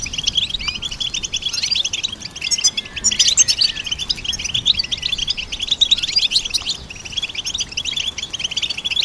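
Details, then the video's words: Continuous goldfinch twittering, busy and layered like several birds overlapping, high chattering notes with buzzy trills throughout and no pauses. "Goldfinch Symphony orchestrated by nature's motivational melodies"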